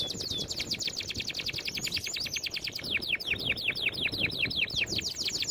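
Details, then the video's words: Canary singing a training song: rapid rolling trills of sharp high notes, shifting between fast buzzy rattles and slightly slower descending sweeps, continuous throughout with a soft low hum behind. "Most powerful song for training Canary"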